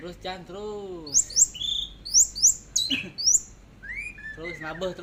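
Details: Orange-headed thrush, teler style, singing rising, piercing whistles and quick chirps in short bursts while a man talks encouragingly before and after.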